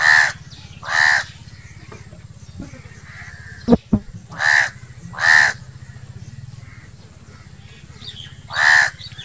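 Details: Crow giving loud, harsh, hoarse caws, five spaced calls spread over nine seconds in irregular pairs, with a low steady hum beneath and a brief sharp knock midway.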